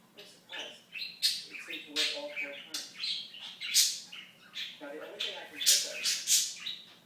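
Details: Pet budgerigar talking: fast, chattering mimicked speech with warbling voiced stretches broken by sharp, hissy high chirps, all run together in an irregular stream indoors.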